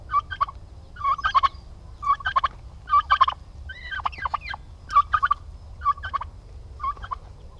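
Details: Several aggressive male domestic turkeys together on a Paraná, Brazil farm gobble in short rattling bursts roughly every second, with one higher, wavering call in the middle of the sequence.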